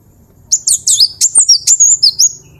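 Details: Gelatik batu, or cinereous tit, singing a vocal master phrase. Nine or ten quick, piercing, slurred notes tumble over under two seconds, ending in a thin drawn-out whistle, with a short low thump midway.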